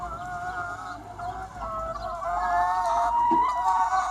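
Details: A sunny spring day among about 200 free-range chickens, several long, level, nasal calls overlapping and growing louder, with steady clucking underneath.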